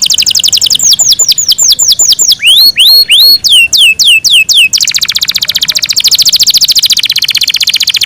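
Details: Pet Yorkshire canary in long melodious song, rapid downward whistles leading into rising and falling swooping notes, then a dense, fast bright trill held for several seconds.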